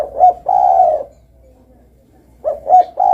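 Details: Spotted dove calling: two low, mellow coo phrases separated by a pause of about a second and a half, each a short note run straight into a longer hollow coo, with faint murmurs between.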